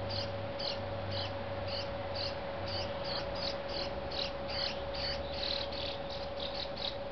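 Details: Juvenile Brown-headed Cowbird being fed by a Dark-eyed Junco: high, thin chirps repeated about twice per second, each note slightly drooping, over a steady low electrical hum.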